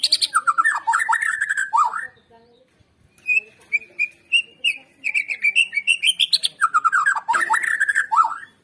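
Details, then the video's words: White-rumped shama singing in a recording used to provoke birds into song: long bursts of rapid whistled notes, a steady series of repeated higher piping notes, then more tumbling melodic phrases. "Pancingan Murai Batu Agar BUNYI GACOR"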